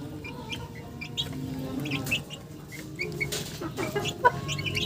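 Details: A group of chickens, with low muttering clucks and intermittent high peeps and squeaks, plus a sharp click near the end.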